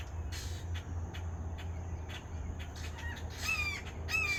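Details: Red-shouldered hawk, mostly quiet background rumble with faint notes, then two strong down-slurred screaming calls near the end.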